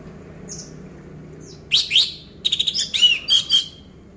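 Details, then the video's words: Orange-headed thrush (anis merah) song meant to prompt a silent caged bird to sing: two faint high notes, then loud rapid phrases of sharp whistles, rattling bursts and slurred trills. "Pancingan Anis Merah Macet Biar Bunyi Gacor dan Teler Lagi"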